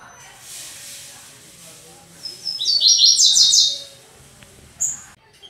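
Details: Double-collared seedeater, a caged bird singing on its perch in the fast "tui tui" style: a rapid series of high, sharp rising notes in a dense burst lasting about a second and a half, then a brief high chirp.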